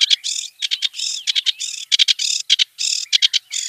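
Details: Wild kerak basi (clamorous reed warbler) singing varied chatter: harsh, grating notes in quick bursts alternate with short rising whistles and buzzy phrases, broken by brief pauses; no other sounds.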